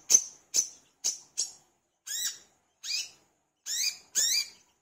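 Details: Brown-throated sunbird in full, lively voice, used as a lure recording for kept birds: sharp, very high chirps, four short clipped notes followed by four longer notes with a falling-then-rising warble. Notes are spaced about half a second apart, with a silent background.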